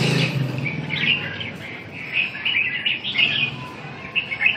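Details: A caged red-whiskered bulbul, kept in a round cage in Vietnam, sings bright, bubbly warbled phrases in short bursts about a second apart, with a low background rumble and a faint voice at the start. It was recorded on the afternoon of 7 June 2012.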